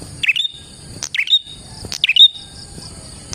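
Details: Prinia singing, played to lure prinias: sharp down-slurred chirps each ending in a thin high note, three phrases about a second apart, over a steady high-pitched ringing drone.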